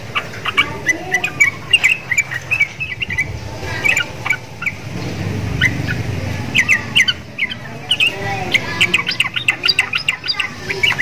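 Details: Caged sooty-headed bulbul, a prolific singer kept hung beside Javan mynas and said to sound like them: busy runs of sharp chirps and short clicking notes in uneven bursts, with a low rumbling background around the middle.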